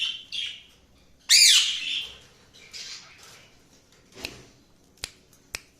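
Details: Cockatiel calling: a soft chirp, then one loud, harsh, rising squawk, followed by quieter trailing notes and a few sharp clicks or taps.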